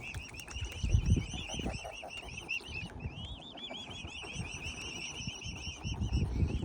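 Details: A family of five growing cygnets gives a steady stream of thin, wavering, high whistled peeps, rising and falling several times a second, over a low background rumble.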